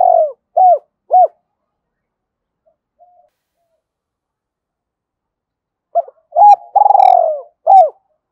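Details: Spotted dove call for attracting wild birds. Three crisp, arched coo notes, then a silence of nearly five seconds. A new phrase of short notes follows, with a long vibrating coo and a final hooked note.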